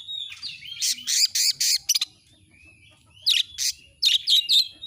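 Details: Oriental magpie-robin delivering a series of loud scratchy bursts and ringing whistles, breaking off for about a second of near silence, then resuming with quick high whistled notes.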